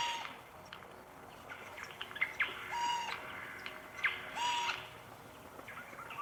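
Eurasian Jay giving harsh, buzzy alarm calls in short bursts every second or so, mixed with thin whistled notes, over a soft forest hiss.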